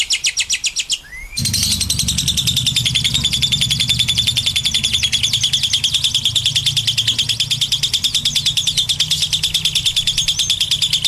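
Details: Lovebird's long ngekek chatter: after a brief opening burst, a sustained, rapid stream of shrill, high chattering notes runs unbroken over a steady low hum.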